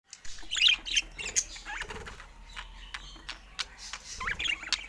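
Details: Budgerigars of rare colour mutations kept as pet birds; scattered squeaky chirps and short rising whistles, with squawks and wing-flapping sounds over a low background hum.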